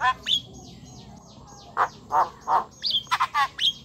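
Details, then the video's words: Javan myna singing prolifically and chattily, a recording used to coax silent or lazy mynas into song: sharp whistled notes sliding downward, mixed with short buzzy bursts and harsh chattering notes in an irregular sequence. "Jalak kebo gacor cerewet"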